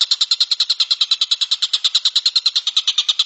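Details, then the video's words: Kingfisher known locally as tengkek buto, recorded as training material for songbirds; a fast, steady chattering rattle of sharp high notes, about nine per second, running without pause throughout. "suara burung tengkek buto"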